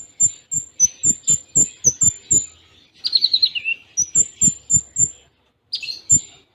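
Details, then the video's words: Cililin-style konin song with tight pauses: a steady run of thin high whistled ticks about every quarter second, a short falling trilled flourish, then more ticks, each note with a soft low tap. "Masteran Konin Full Tembaan Cililin Jeda Rapat"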